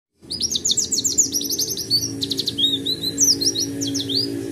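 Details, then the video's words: Kept Oriental white-eye singing in the roll tembak style: a dense, rapid run of high, sharp chirps and trills repeated almost without pause over a steady low hum. "PLECI DEWA JUDI SI ROLL TEMBAK"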